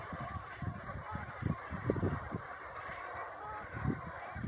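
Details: Low, throaty honks from brent geese heading to roost, many short calls tumbling over one another in an irregular chorus with a constant low hum behind.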